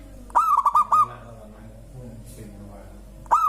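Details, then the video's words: Zebra dove of a local type, whose singing reportedly sets other birds calling, delivering one stuttering cooed phrase of four or five rapid notes, then the start of another; quiet background chatter. "Suara indah perkutut lokal bikin burung lain ikutan bunyi gacor"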